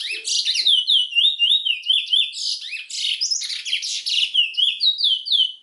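A chestnut-bellied seed finch sings a long, unbroken warble of high, sweet, slurred whistles and quick twittering trills, rich and varied throughout.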